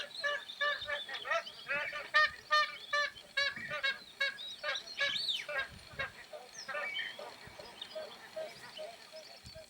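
Magpie geese give loud, nasal, overlapping honks, roughly two or three a second from several birds at once, with a dense chorus behind.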